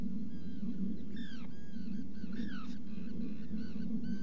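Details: Black guillemot at its nest burrow in a rock crevice on Seal Island NWR, Maine, picked up by a burrow camera on an afternoon in July 2018; clear, thin, descending whistled notes repeat irregularly over a steady low hum.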